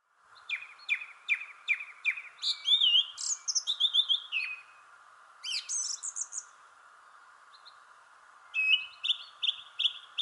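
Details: Thrush singing in a shrubbery tree: a run of repeated sharp notes, then varied whistled and chirping phrases, a pause, and further bright phrases, over a steady low background hum.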